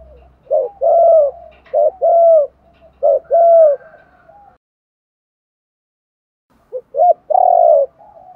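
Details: Spotted dove cooing used to lure wild doves: clean, low hooting phrases of a short note followed by a longer drawn-out coo, repeated in three groups, then a pause and another phrase, against silence.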